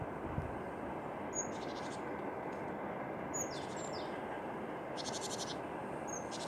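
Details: Wild tits singing: a few sparse, high, thin whistles and brief buzzy trills, heard over a steady, strong, low rushing noise.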